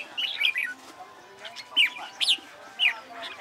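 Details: Red-whiskered bulbul practising competition song, giving separate loud, sharp whistled notes that sweep up and down, spaced about half a second apart, over a faint hum.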